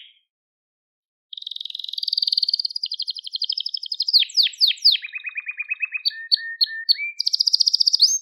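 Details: After a brief silence a crested Gloster canary launches into song: a long high rolling trill, then steep descending sweeps, a lower rattle and short whistled notes ending in another rapid trill. Recording meant for training young canaries.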